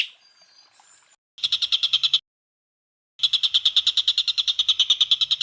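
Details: Cucak ijo, the greater green leafbird, giving full tembakan bursts meant to tutor other birds: two rapid buzzy rattles of evenly spaced notes, the second longer, separated by a second of silence after faint high whistles.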